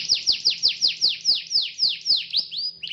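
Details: Energetic canary calling a rival to sing, giving a steady series of about thirteen loud downward-swooping whistles roughly every fifth of a second, ending in a short flourish.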